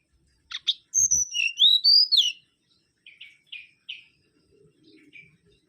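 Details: Mangrove whistler (Pachycephala grisola), described as an insect-eating bird of lowland, coastal and mangrove forest; a few short buzzy notes, then a loud run of clear whistled notes gliding up and down, followed by softer repeated short phrases.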